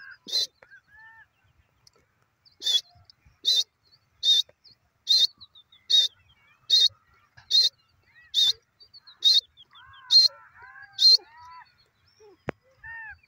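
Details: Grey francolin calling: a series of short, sharp, high-pitched notes repeated steadily about once every second, with softer chirps from other birds and faint background rustling between calls.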